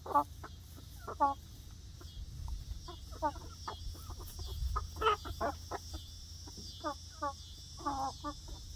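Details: A new flock of young egg-laying hens on their first day in a freshly built outdoor backyard run, clucking busily with repeated short notes and wavering trills, many overlapping, over a low hum.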